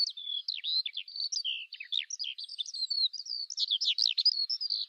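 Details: High, breathless warbling from a Eurasian skylark: rapid chirps, buzzy notes and rising and falling whistles tumbling on for nearly five seconds, no other sounds.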